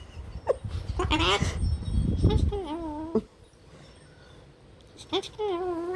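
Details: Hand-raised, rescued pet long-billed corella (Cacatua tenuirostris) swearing at the household cat: short, nasal, speech-like mimicked phrases that waver up and down in pitch, with a low rumble of background noise at the start.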